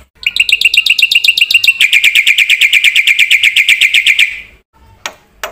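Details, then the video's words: Lively Black-winged myna song with a varied repertoire, meant for stimulating and tutoring other birds. A long, fast, ringing trill speeds up and runs about four seconds, then two isolated sharp clicks. "suara burung jalak putih gacor full isian ini JUARANYA untuk pancingan dan masteran"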